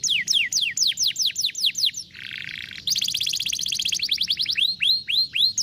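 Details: Canary song to encourage a lazy canary to sing: repeated descending whistled sweeps, a short nasal buzz, then a rapid rolling trill and several drawn-out falling whistles.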